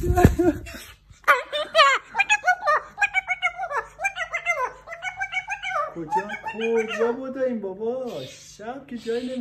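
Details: Female captive-bred umbrella cockatoo, born in Iran, living in Tehran and speaking Persian, chatters in speech-like phrases with laugh-like bursts and rising, wavering syllables over a steady low room hum; umbrella cockatoo.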